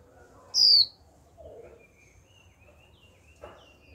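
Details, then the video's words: One sharp, high, falling whistle from a young female white-eye kept in a cage, her 'chíu' call used to coax wild-caught birds into singing; afterward only faint, thin background chirps and a soft low rustle. "Khuyên mái tơ chíu liên tục kích bổi líu ngay!"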